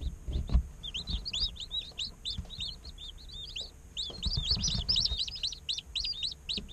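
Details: Group of day-old chicks peeping busily, real recording as they chirp and play; continuous overlapping high, curved chirps with short pauses, plus occasional low thuds and a faint steady hum.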